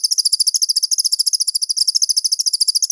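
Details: Master training recording of a crested jay: a continuous high, rapid chattering trill with closely spaced, even pulses, plus a few faint low thuds.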